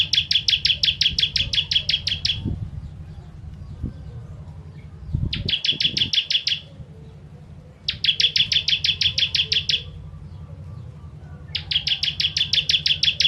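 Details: Ciblek (Bar-winged prinia) giving repeated 'tembakan pedas' bursts for bird training: four volleys of fast, high, uniform chips, each around two seconds, with a few low thumps and a steady hum in the background.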